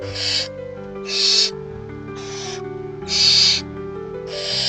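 Barn owl chicks give harsh, rasping hisses, each about half a second long, repeated roughly once a second over soft, sustained background music.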